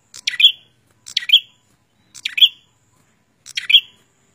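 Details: Bar-winged prinias, a male and female pair calling together or alternately, give four loud, sharp, buzzy chirps, each ending in a bright downslurred note, spaced roughly a second apart in an otherwise quiet setting.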